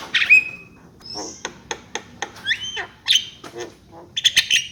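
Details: Javan myna with a harsh burst ending in a level whistle, then a series of spaced dry clicks, a pair of rising slurred whistles and closing raspy chatter.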